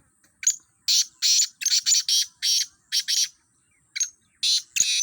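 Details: Black francolin calls recorded at a calling contest with fifteen birds on trial: a series of coarse, buzzy, high rasping notes, grouped in twos and threes, irregularly spaced across a few seconds.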